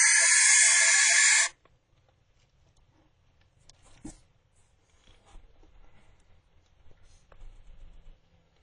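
A young barn owl gives one harsh, hissing screech lasting about a second and a half, followed by near silence with a few faint clicks and rustles.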